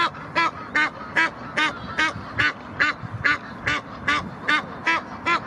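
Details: Egyptian geese aggressively defending territory at the Blies in Ludwigshafen am Rhein, giving a long, very regular sequence of harsh, honking calls, about two or three per second, with a few softer overlapping calls from another bird.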